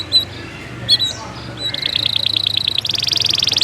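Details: Canary lure song in the energetic "cuit cuit nembak" style, used to teach young canaries to sing: a few scattered chirps, then an even pulsing trill that turns into a fast, buzzy rolling trill.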